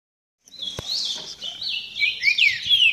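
A green-winged saltator warms up with a run of quick, high, sliding whistled notes that climb and dip, broken by one sharp click near the start.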